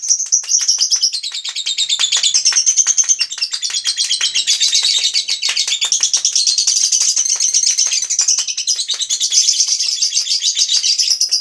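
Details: Lovebird singing a long, unbroken stream of rapid, shrill chattering notes, fast buzzy twitters running on without pause and rising and falling slightly in pitch throughout.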